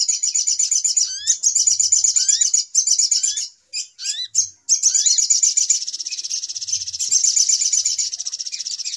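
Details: Trapping lure of little spiderhunter calls: shrill, fast chittering in long runs with rising slurred whistles, a choppy stretch of short bursts midway, then steady trilling.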